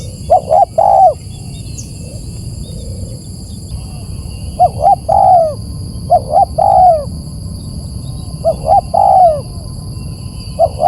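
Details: Spotted dove call used as a lure for birds: four distorted phrases of short clipped coos and a longer slurred coo, spaced a few seconds apart, over steady low-pitched background noise.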